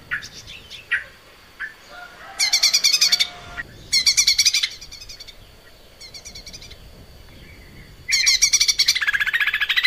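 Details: Persistently singing Lesser green leafbird on a cage-bird training recording. Soft calls open, then three loud, rapid, buzzy trill bursts arrive with short pauses between them, and a final dense trill closes the stretch.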